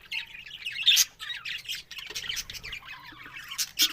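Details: Chattering budgerigars, October 1: rapid twittering and squeaky notes with loud squawks near the first second and at the end, and a softer warbling stretch in between.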